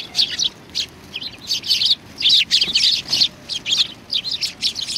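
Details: A group of sparrows at a Tenmangu shrine, 25 November 2020, comes to be fed. A busy stream of high, scratchy chirps runs in bursts nearly without break for five seconds.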